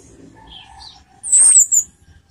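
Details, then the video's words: Orange-headed thrush, a lure recording meant to raise a captive bird's emotion and breeding urge; one high, thin whistled phrase wavering and falling slightly, with a faint soft note before it. "PANCINGAN ANIS MERAH TELER || menaikan emosi dan birahi"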